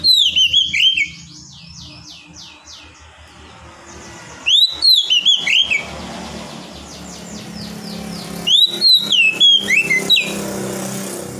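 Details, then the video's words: Oriental magpie-robin singing loud clear whistled phrases of sliding notes in bursts, with quieter stretches of fast high chattering from other birds and a low background hum between them. "TERAPI KACER MENTAL NGEDON"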